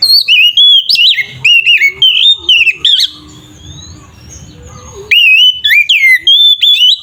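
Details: Oriental magpie-robin's loud, fighting-mode song, used as a lure to agitate other magpie-robins. Rapid, looping whistles and warbles come in about three bursts per second, break off into a soft pause, then return as vigorous whistling.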